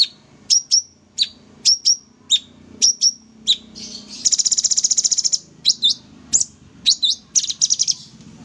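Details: Sooty-headed bulbul in full energetic song for tutoring: regularly spaced high whistled chirps that slur downward, a long fast rattle of about twenty pulses, then more chirps and a short buzzy run.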